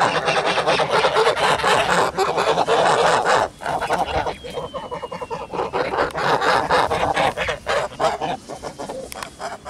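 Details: Farm flock of Kholmogory geese, filmed 10 August 2017, giving loud, raspy honking in dense bursts, strongest in the first few seconds, then choppier, broken calls against steady outdoor background noise.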